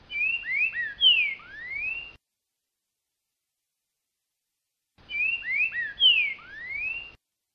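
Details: Rufous-bellied thrush singing in October at the start of the singing season, with clear whistled phrases of sliding, falling and rising notes; a phrase of about two seconds, a pause, then the same phrase repeated.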